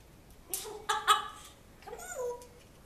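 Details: Captive African grey parrot at home, known for talking about a dog from its former household. Three short harsh squawky syllables, then a pause and a longer bending, vowel-like call with a sliding tone.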